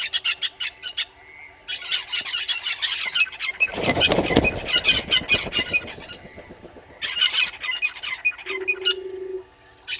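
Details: Red-billed hornbills at a South African waterhole, Gowrie dam in Djuma Game Reserve, morning of 20 March 2022; rapid clucking series, a loud flurry of flapping wings midway, then calls resume before a brief low hum.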